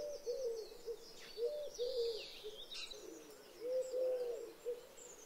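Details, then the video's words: Eurasian collared dove (Streptopelia decaocto) giving its persistent three-note call: soft, hollow, low coos in repeated phrases, with faint high twittering from other small birds behind. "Eurasian Collared Dove Call"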